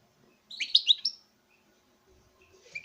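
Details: European goldfinch male singing to a female during breeding: one short burst of bright, liquid twittering notes, then quiet with a faint chirp at the end.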